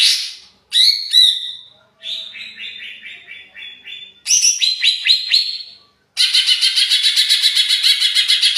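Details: Greater green leafbird in an agitated state, kept as a caged songbird to stir others to sing: bursts of varied high chirps and whistles, a descending chattering series, then a rapid buzzy trill of dense repeated notes.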